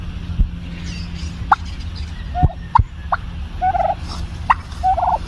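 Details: Soft popping noises from a pet turkey hen, short pops mixed with quick trilled warbles repeating irregularly over a steady low hum.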